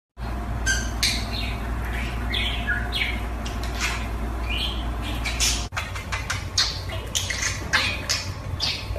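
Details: A pet budgerigar balancing on a ball chatters with quick, scratchy chirps and squawks over a steady low hum.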